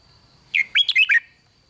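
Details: Red-whiskered bulbul, a cage bird, singing the 'rik' style of song used to excite other bulbuls: a single quick phrase of five clear, warbled whistled notes, rising and falling, over a faint steady high tone.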